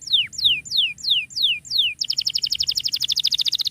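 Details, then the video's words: Canary in full ngerek song, used to tutor silent canaries: six sharp descending whistled slurs spaced evenly, followed by a rapid, buzzy, high trill of many repeated notes. "KENARI GACOR COCOK BUAT MASTERAN KENARI MACET"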